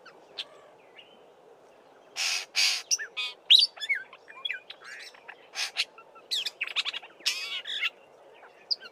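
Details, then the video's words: Black-bellied starling singing with mimicry of Fork-tailed Drongo and other local birds: a varied jumble of harsh buzzy bursts, sharp chips and twisting whistles, delivered in a dense run of varied notes. "Black-bellied Starling singing and mimicking"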